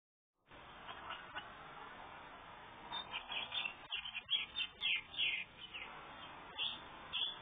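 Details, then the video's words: Red-headed house finch feeding its babies, recorded on a phone: after a quiet start, bursts of high, sharp chirps come from about three seconds on, repeating irregularly over a steady background hiss. "Red headed house finch feeding babies"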